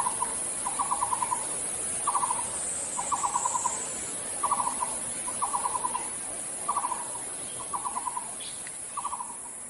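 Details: Nicobar pigeon in Bogor, Indonesia, giving short stuttering bursts of low, throaty pulsed notes, about eight bursts in ten seconds at an uneven pace, over a steady background hiss.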